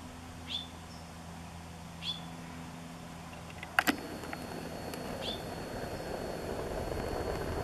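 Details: Preening Hooded Oriole in a Washingtonia robusta palm at Bonsall gives three quick upswept whistled call notes, interrupted midway by a sharp double knock, while rumbling vehicle-like noise builds toward the end.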